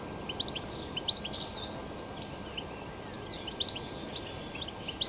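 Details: Wild European goldfinch singing in nature, recorded in 2021: fast, bright twittering chirps and short rising and falling whistles, tumbling continuously over a steady hiss of background noise.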